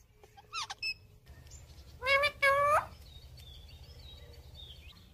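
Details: Indian ringneck parakeet talking: two short high squeaks, then a loud, voice-like two-part phrase with a rich harmonic tone, followed by faint high chirps over a low background hum.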